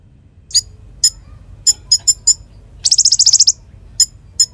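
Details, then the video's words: Konin used as a training model for magpie-robins: spaced sharp high chips around a short rapid staccato trill of about ten notes. "Masteran Konin Gqcor Nembak Full isian Buat Isian Buring kicau"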